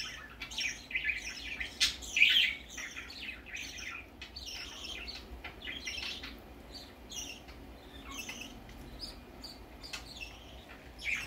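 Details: Baby budgerigar going out for the first time, chattering with many quick chirps and scratchy notes over a longer stretch, loudest near the start and fading to softer twitters.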